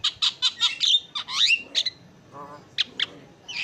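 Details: Javan myna singing, a champion bird with a melodious song: bursts of bright chattering notes and short rising whistles, then a low buzzy rattle and a few sharp clipped notes.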